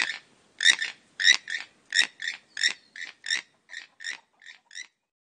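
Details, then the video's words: A toucan in Guatemala gives a run of harsh, croaking notes, often paired, about two a second, growing fainter over five seconds; nothing else is heard. "Canto del Tucán"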